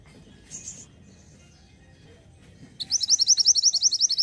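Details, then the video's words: Mountain mantenan, a caged songbird in Indonesia, singing to prompt other caged birds into song: a fast run of high, sharp, repeated chirps in the second half after a brief faint note. "PENARIK RESPON BUNYI UNTUK BURUNG MANTENAN GUNUNG AGAR CEPAT GACORR"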